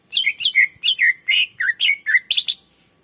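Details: Energetic greater green leafbird singing to draw out and train other birds: a quick steady run of about eleven clear downslurred whistled notes, each with a bright upper chirp, over a quiet background.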